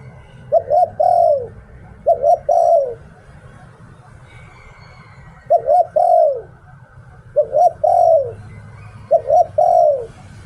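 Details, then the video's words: Singing decoy spotted dove in the "Liu Tan" style. Five three-note phrases of short paired coos and a long falling coo, with a gap near the middle and steady low background hum. "เสียง "หลิ่วตัน" นกต่อ"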